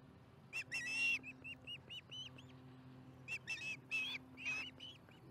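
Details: Osprey calling at its Charlo nest while eating dinner, July 15, 2019, 4:30 pm MDT: a few short whistled chirps and one longer ringing note, then quiet, more calls near the end; faint hum throughout.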